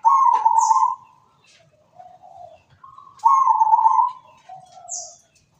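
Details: Zebra dove singing: two bursts of rolling, warbled cooing, each followed by softer, lower trailing coos, with brief quiet between phrases.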